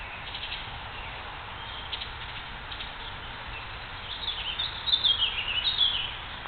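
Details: Baltimore oriole song in spring at Great Neck, New York, 8 May 2009: a short run of clear, whistled notes late in the clip among warblers and other birds, over a steady hiss of outdoor background noise.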